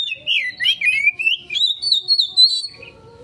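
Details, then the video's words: Oriental magpie-robin lure song, a continuous flowing whistled phrase climbing from low to a high sustained tone, with quick pulsed notes along it. "Pancingan Burung Kacer konslet,respon cepat...!"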